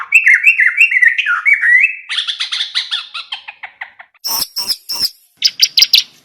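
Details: Sooty-headed bulbul singing, likely a caged bird, in a training recording: a rapid run of whistled, slightly wavering notes, then a string of short descending chirps, ending with a few sharp, very high clicks and chips.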